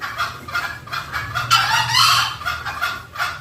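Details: Green junglefowl lure call: a few quick clucks, then a loud, harsh, broad call lasting about a second, then more short clucks.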